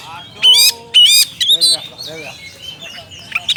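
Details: Oriental magpie-robin calling a rival with loud rasping, buzzy bursts repeated about every half second, then quieter whistles and chirps from other birds behind.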